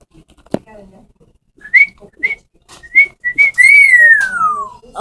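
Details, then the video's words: Pet parrots indoors calling: a sharp click, then short whistled notes repeated, ending in a long loud whistle sliding downward; a woman talks to the birds right after. "Parrots making crazy noises!"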